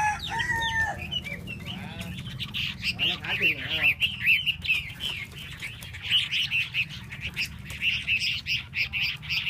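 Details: Hwamei singing a rapid run of varied whistled and warbled phrases, some notes sliding up and down, with a steady low hum running beneath.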